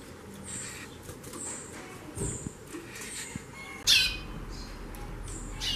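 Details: Female chorão, the White-bellied seedeater, xaxando a lot: thin, very high, short notes repeated irregularly, broken by a sudden loud rasping burst near the middle, over low background hum.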